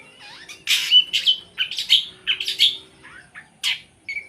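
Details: Long-tailed shrike in captivity sings harsh grating bursts and whistled slurs, ending with a short flat whistle.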